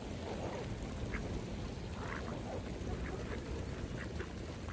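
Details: Feeding mallards on a pond give a string of short, hoarse quacks, spaced unevenly over a few seconds against steady low rumble and water noise.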